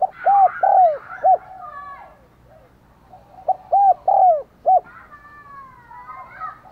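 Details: Decoy spotted dove luring wild birds with thúc gù and gáy gọi calling. Rapid sets of deep, hollow, arched coos come in two groups, with softer coos and other birds twittering faintly behind.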